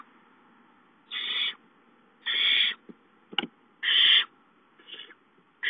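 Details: Barn owl owlets hissing on 19 April 2013 as an adult brings a mouse at 8:19; harsh, breathy hisses about half a second long, repeated roughly every second and a half, with a few faint clicks and scuffles between them.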